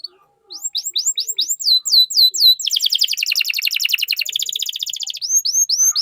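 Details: Canary song used as a lure to stimulate other canaries to sing: sweeping whistled notes repeated rapidly, then a fast buzzy trill of about two seconds, returning to the sweeping notes.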